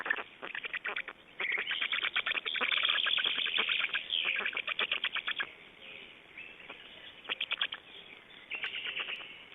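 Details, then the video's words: Estonian Black storks at the nest, 29 May 2012, changing over and feeding: fast, irregular rasping pulses, about three a second, in loud stretches separated by quieter gaps, with some thin higher tones. "Estonian Black Storks - Change and feeeding"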